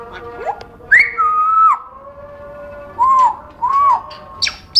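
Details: Caged pet African grey parrot making its noises: a swooping whistle, then a long level whistle, followed by two short arched whistles and brief sharp clicks, over a steady low hum.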